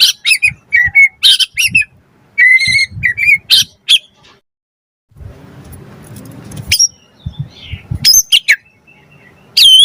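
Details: White-rumped shama singing as a lure to provoke other birds: short, sharp whistled and chirped phrases with gaps, a stretch of soft rustling noise in the middle, then more high, thin notes.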